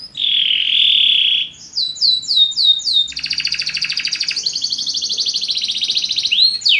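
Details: Belgian canary singing to encourage other birds: a bright sustained trill, a string of falling sweeps, then a long rolling buzzy tour ending in a rising slur.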